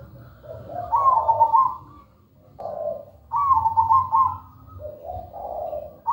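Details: Actively singing zebra dove, melodious and rhythmic: three rolling, quavering coo phrases spaced roughly two seconds apart, each trailing into a lower soft coo, above a low steady hum.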